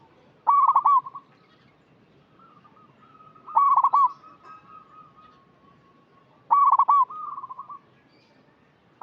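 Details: Local zebra dove singing as a lure for birds still untrained: three loud, quick, rippling coo phrases about three seconds apart, each followed by a softer, drawn-out run of coos, in near silence.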